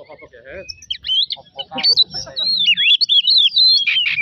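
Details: Oriental magpie-robin song used as a lure to provoke singing: rapid whistled phrases sliding between high notes, dense and varied, with a few lower chattering notes early on and faint background voices.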